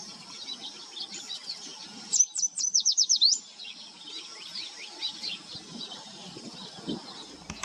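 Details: Black-chinned hummingbird from Texas or Arizona producing a sudden burst of loud, very high sweeping chips, about eight within one second, surrounded by softer scattered high twitters and light background noise.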